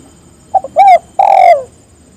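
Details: Spotted dove calling others to join: a single phrase of two short soft notes, a rounded coo, and a longer, louder, gently falling final coo, low and mellow against light background noise.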